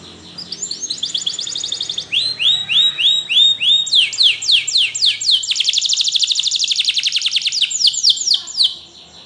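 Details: Spanish Timbrado canary training song: varied rapid tours, including looping falling notes, a slower series of arched notes, and a long fast rolling trill, all high-pitched.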